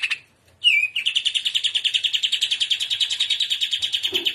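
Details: Greater green leafbird singing in the trotolan style, described as gacor and in udang style: after a brief pause, a sharp downslurred whistle opens a long, steady, rapid trill of pulsed notes, about eight per second, held for over three seconds.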